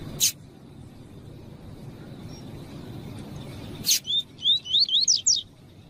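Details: Captive double-collared seedeater (coleiro) singing the 'tui tui' song used to train and excite other males: two sharp clicks, then a quick run of about six high whistled notes rising in pitch, over a low hum.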